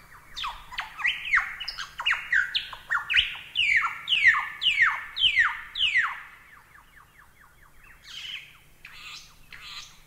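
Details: Lyrebird song intended as masteran training audio. Steady runs of downslurred whistled notes, roughly two per second, end in softer rapid chips and a few faint high notes.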